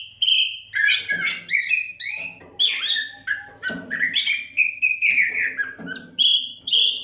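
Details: Kacer, the Oriental magpie-robin, in unbroken training song for songbirds; clear whistles alternate with buzzy, clicking bursts, the phrases following each other rapidly with a slight low hum beneath.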